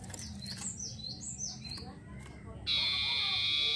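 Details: Long-tailed shrike singing vigorously as a lure for other birds: faint high slurred whistles repeated several times, then a loud, harsh, buzzy rasp that continues to the end over a noisy background.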